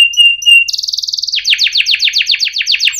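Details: Canary singing in the cuit ngerol style, used as a lure for young canaries learning to sing: a steady high whistled note, then a fast buzzy trill, then a run of rapid downward-sweeping notes about five per second.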